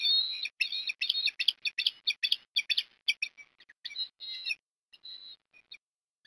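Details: Osprey at a Port Lincoln nest in Australia, October 2021 afternoon, food deliveries under way. A fast run of short, high, chirping notes gradually thins out and fades into a few scattered chirps.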